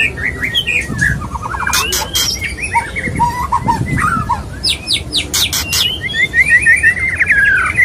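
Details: White-rumped shama male courting a female, mixing short whistled phrases, a quick stuttering trill and harsh broadband scrapes, closing with a descending chain of bright notes.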